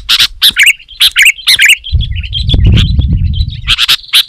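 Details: Sooty-headed bulbul singing loudly and densely, a lure for wild bulbuls: clusters of sharp chirps and warbled notes, a thin sustained whistled line mid-clip partly masked by a low rumbling noise, then more chirps.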